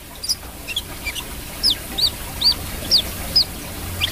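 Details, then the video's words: Singing brown-throated sunbird giving quick, high, piercing whistled chips, each a brief up-and-down slur, delivered roughly two per second, growing louder toward the middle, with a faint low rumble behind. "KOLIBRI KELAPA GACOR"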